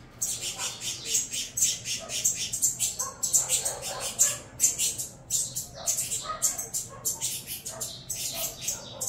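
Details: A brood of saffron finch chicks, a Venezuelan cross, creating a racket while being fed: rapid, overlapping raspy squeals and shrill cheeps that run almost without pause.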